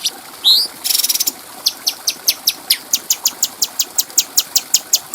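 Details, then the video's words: Cucak cungko bulbul in a clean tutor recording for training other songbirds: a rising whistle, a harsh buzzy burst, then a steady series of sharp high ticks, about four each second. "Masteran Burung Cucak Cungko Suara Jernih"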